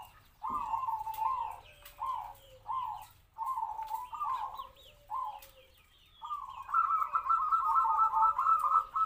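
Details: Medium-voiced captive-bred zebra dove, about three to four years old, used to lure wild doves; a run of short clipped coos gives way to a long, loud rolling trilled phrase, with a fainter second caller behind.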